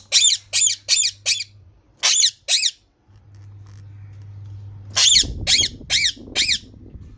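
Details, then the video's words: Green parrot giving short groups of harsh, raspy squawks with a pause between groups, over a steady low hum and some rustling. "Green parrot talking natural sound"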